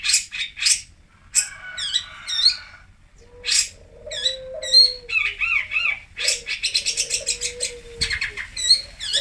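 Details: Cendet, the long-tailed shrike, from Singosari: rich mixed song with harsh bursts, rapid chattering phrases and bent whistles, while a low, steady whistled tone sounds at intervals underneath.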